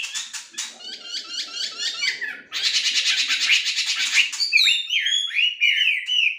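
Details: Caged melodious laughingthrush (Chinese hwamei, wambi) being trained to sing actively: rapid repeated chattering notes, a dense loud buzzy stretch, then rich looping whistled phrases sliding down and up.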